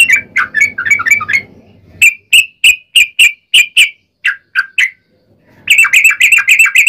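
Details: Lure song of a yellow-vented bulbul, sung long and rapid to prompt others to reply: a quick chatter, then a spaced series of crisp chirps, a brief silence, and another dense burst of bubbly notes.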